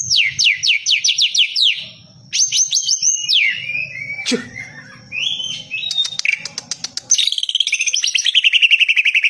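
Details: White-rumped shama singing a varied, loud run: series of descending whistled notes, sweeping slurs, rapid ticking bursts and a closing fast repeated trill, with soft low thumps beneath.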